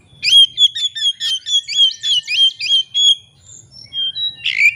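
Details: Oriental magpie-robin (kacer) lure song for rival-seeking birds: a rapid string of bright, wavering whistled notes repeated about three times a second, then a short pause and a harsher burst.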